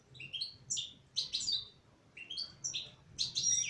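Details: Female European goldfinch singing: two bursts of quick, high, tinkling twitters and chirps, each lasting over a second, separated by a short pause. Quiet background.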